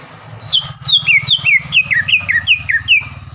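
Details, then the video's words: Caged greater green leafbird, a contest winner around Palembang, delivers a fast run of sharp whistled notes that slide downward in steps, about two or three per second, over a steady low background hum. "MASTERAN CUCAK IJO GACOR SPEK JUARA DENGAN ISIAN ISTIMEWAH NEMBAK PEDAS DAN RAPAT"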